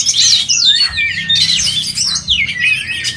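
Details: Oriental magpie-robin singing at a songbird contest: a fast, rich run of looping whistles and sweeping slurred notes, high and varied, broken by short pauses near one and two seconds, with other birds overlapping behind.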